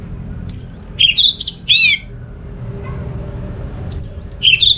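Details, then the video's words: Orange-headed thrush in North Bali, its song played to get other thrushes calling: a varied phrase of high slurred whistles and rough warbling notes, a pause, then the phrase begins again. "Suara burung ANIS MERAH ini ampuh bikin ANIS Jenis apapun ikut bunyi"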